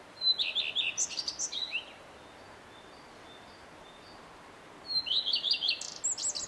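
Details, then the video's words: A male common redstart's song phrase: a thin whistled lead-in followed by a rapid jingle of falling notes, then silence for three seconds before the next phrase starts with the same whistle and stuttered notes. "Samczyk pleszki i jego piękny śpiew"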